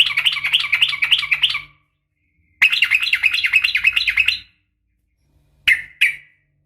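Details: A female sooty-headed bulbul calls for a male: two long bouts of fast, scratchy, wavering chatter, then a pair of quick sharp notes, over a faint low hum.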